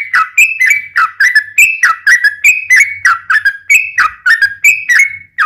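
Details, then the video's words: Yellow-vented bulbul 'ropel panjang' song, used as a lure to make other bulbuls sing: a continuous string of short, liquid whistled phrases, each rising then dipping, repeated rhythmically. "trucukan gacor ROPEL PANJANG buat pancingan trucukan agar bunyi"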